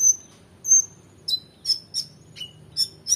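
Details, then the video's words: Oriental magpie-robin in full energetic song, used to tutor competition birds: two long, clear high whistles, then a run of short sharp notes spaced about every third of a second, one dropping lower. "KONIN GACOR EMOSI FULL BONGKAR ISIAN MEWAH‼️Cocok Untuk Masteran Burung Lomba"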